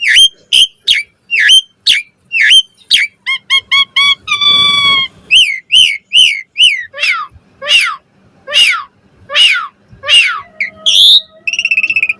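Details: Asian pied starling pouring out a varied song for tutoring cage birds: repeated sharp downslurred squeals, a quick series of ringing tonal pips, buzzy notes, then loud rising-and-falling whistles and a harsh ending.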